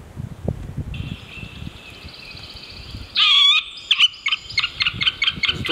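Middle spotted woodpecker: a thin, drawn-out high tone, then a harsh burst and a quick series of short, sharp notes.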